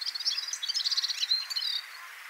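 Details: Red-fronted serin, a small high-mountain finch, giving a rapid, high jingling twitter of short buzzy notes over two seconds.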